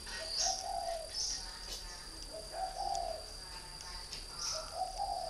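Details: Caged three-year-old decoy spotted dove from northern Vietnam gives three low, mellow cooing phrases, each a short note then a longer rolling coo, about every two seconds, over a steady high insect-like whine and faint high chirps.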